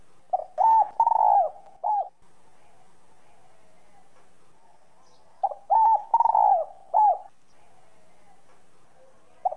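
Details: Whistle-voiced spotted dove cooing to excite other birds into singing: two phrases of a soft lead-in coo, a bright note, a long falling burred coo and a closing coo, about five seconds apart.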